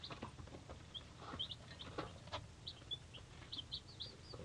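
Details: A brood of three-day-old chicks from a hatchery, including Buttercups, Buff Cochins and Whiting True Blue, gives a chorus of thin high peeps, brief arched whistles scattered through the clip, with soft scratching and a low hum beneath.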